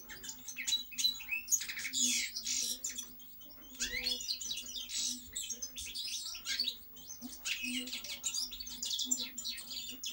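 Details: Energetic European goldfinch singing, with dense bursts of chirps, trills and slurred whistles in quick succession and a brief lull near four seconds; low hum throughout.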